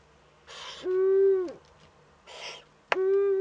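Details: Nest camera in northern Rhineland-Palatinate, Germany, 15 May 2013: a young Eurasian eagle-owl's first contact with another owl, with two loud, level, strongly harmonic calls, each following a breathy hissing burst, plus a sharp click.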